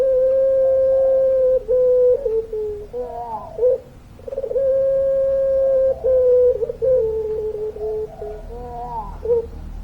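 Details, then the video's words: Actively singing puter pelung dove: two long, steady, mellow coos, each held about two seconds and ending in a slight downward waver, with quick bubbling notes between them. "Puter Pelung Gacor Suara Panjang, Manggungnya Bikin Adem"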